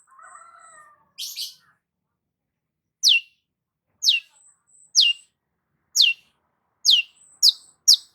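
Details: 'Gacor' long-tailed shrike song for rousing a stressed shrike: soft low warbling, a harsh double rasp, then steady sharp falling high notes about once a second, quickening at the end.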